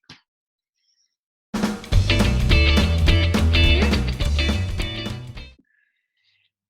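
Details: A burst of rock music with electric guitar and drum kit plays for about four seconds between short silences, and no animal voices are heard.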